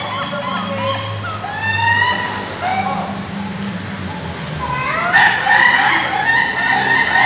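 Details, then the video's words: Several Ayam Ketawa roosters crow at a Bogor practice contest: rising and falling harmonic crows in broken, laughing phrases, over steady low hum and human voices. "latber ayam ketawa"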